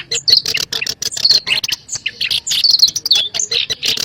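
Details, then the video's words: Black-browed reed warbler used to lure birds into traps: loud, busy chatter of harsh high chirps and thin whistled notes, some slurring downward, repeated in rapid clusters. "SUARA PANCINGAN PIKAT BURUNG KERAK BASI ALIS HITAM"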